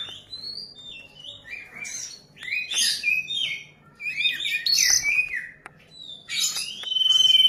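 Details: A young ashy drongo already skilled at mimicking a common iora, delivering jumbled, buzzy and whistled fragments in bursts, ending with a long, steady high whistle.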